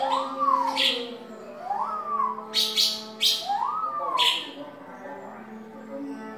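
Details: Cucak timur, an Indonesian endemic bird, in ngeropel song: three arched whistled slurs, each rising then falling, spaced about 1.5 seconds apart and interspersed with short noisy high bursts, over a constant low background hum.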